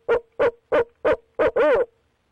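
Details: At night on 6 February 2019, a barred owl from a mated pair gives five short, deep hoots and closes with one longer, quavering note that sways up and down.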